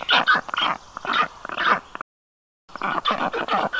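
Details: Black stork at its nest in Karula National Park, Estonia, on a hot day as the adult female brings wet grass and water to panting chicks: harsh, yelping notes repeated several times a second in short bursts, with a brief silent break midway.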